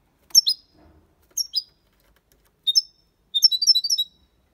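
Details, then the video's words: European goldfinch performing copia malaga song for training young birds; bright high chirped phrases recurring roughly each second, ending in a quicker jingling burst of rapid twitters. "Cantó de Jilguero (copia malaga ) para Estimular niños pajaros/Chant de Chardonneret élégant"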